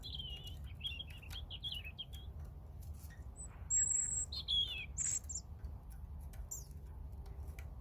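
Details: European robin in song, opening with a rapid, fine warbling trill, followed by loud, thin, very high whistles and falling slurred notes, with low ambient noise beneath.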